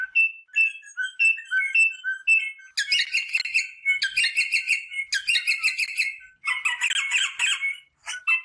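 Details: Rosella song meant to stimulate mating: opens with soft alternating whistled notes, low then high, then moves into long stretches of loud, harsh, rapidly repeated chatter.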